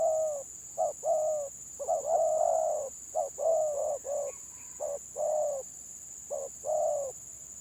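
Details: Spotted doves singing in 'gagap' stutter style during a gelang patah contest: uneven short coos and a long sustained note around the middle, steady high hiss throughout.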